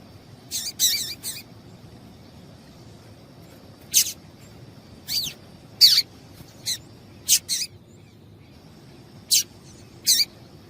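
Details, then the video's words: Female double-collared seedeater calling to stimulate a male to sing: short, dry, sharp chip notes, single or in quick pairs, spaced irregularly over about ten seconds against a quiet background with a faint steady high hum. "Piado de Fêmea de Coleiro Chamando Quente Para Esquentar Coleiro tui tui"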